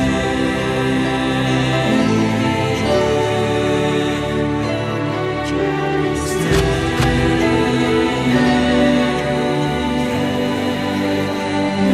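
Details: Soft, sustained chant-like music plays throughout, with no animal voice heard.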